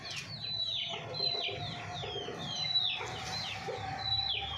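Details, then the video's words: Hens at a small backyard mini zoo: repeated high, downward-sliding peeping notes with short low clucks underneath, several birds calling at once. "Hen sound effect | Murgi Ki awaz"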